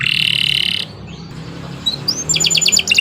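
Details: Canary in full, vigorous song, used as a tutor recording for training birds: a steady buzzy note that breaks off into near silence, then faint slurs and a quick burst of rapid high chattering trills.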